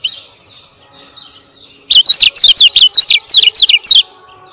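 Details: Rapid series of about a dozen shrill, zigzagging, downslurred notes from a male lemon-bellied white-eye of Lombok, used for training and luring. It starts abruptly after quiet and lasts about two seconds over a steady high hiss.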